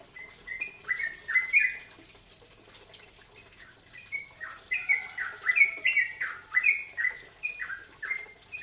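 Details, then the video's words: Cucak ropel, a bulbul, sings as a lure to set other birds singing; bursts of quick descending whistled notes, a pause, then a faster, louder run of chirps. "Cucak ropel sampe pancingan"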